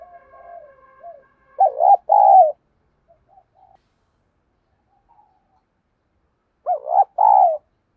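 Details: Lure spotted dove cooing in the 'giọng thổ' style against rival wild birds. A faint coo opens the recording, then two loud, throaty double coos come several seconds apart, with scattered soft notes between.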